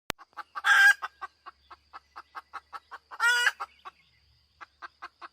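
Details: Hen chicken giving a string of short, sharp clucks about every quarter second, broken twice by a loud, harsh, drawn-out squawk, with no other sounds.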